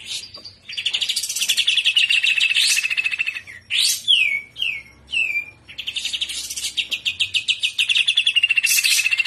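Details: Greater green leafbird in full trotolan song, gacor and udang style: long rapid trills of pulsed notes interrupted by three quick downward-slurred whistles, then a return to the fast rattling trill.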